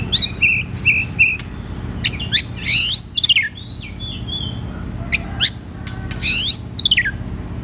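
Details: Oriental magpie-robin (kacer) singing loudly in 'ngeplong' fashion, as therapy for a bird that rarely sings; repeated clear whistles, then rising-falling sweeps and buzzy slurred notes, with a low hum underneath.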